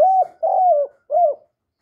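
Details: Young male spotted dove calling loudly: three mellow low coos, each about a third of a second, held level then sliding down at the end, in quiet surroundings.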